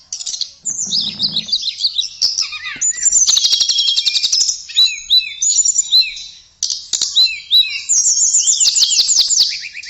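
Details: Blue flycatcher (tledekan) singing a sweet, continuous song, used for training other songbirds: rapid high twittering phrases, quick downward slurs and trills, nearly unbroken over ten seconds, with sharp clicking ticks between phrases.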